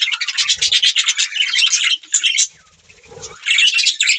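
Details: Budgerigar's rapid, grating warble for two seconds, a quieter pause with soft rustling, then the chirpy chatter resumes loudly.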